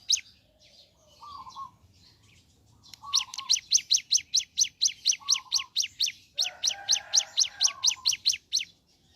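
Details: Ciblek gunung in the morning opens with soft low warbles, then a run of sharp high chips. After a short break the chips resume, over a lower burbling phrase.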